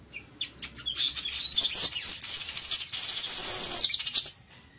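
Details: Village weaver (Ploceus cucullatus) singing: a loud, buzzy, sizzling chatter of rapid high notes that builds into a sustained wheezy trill, then cuts off abruptly.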